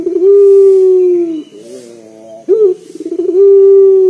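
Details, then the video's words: Loud-voiced local collared dove kept to lure other doves into calling: a long deep drawn-out coo, a quieter rolling section, a sudden upward-flicking note, and another sustained low coo. "PUTER LOKAL GACOR DOR SUARA BESAR NGEBAS 100% UNTUK PANCINGAN"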